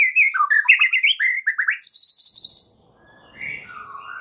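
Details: White-rumped shama lure song, used to prompt other shamas to answer: quick varied whistled phrases, warbles and rapid repeated notes sliding between pitches, then a high buzzy trill before fading into quiet notes.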